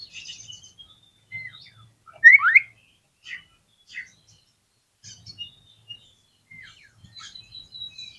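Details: White-rumped shama song used as a lure to trigger other shamas into singing their full repertoire: scattered high whistled notes and chirps, a loud rising double sweep near the middle, then short varied whistles and brief trills, with faint low thumps beneath.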